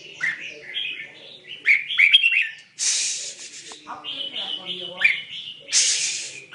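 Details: Red-whiskered bulbul mixed-voice song, called tạp giọng Songkon: quick warbled chirps and slurred whistles in short phrases, broken by two loud hissing noise bursts and a low background murmur.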